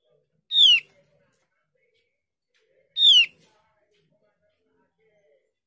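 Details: A Javan grey-throated white-eye gives a short, bright, high descending phrase about every two and a half seconds against a quiet background. The song is used as a lure to make other birds answer.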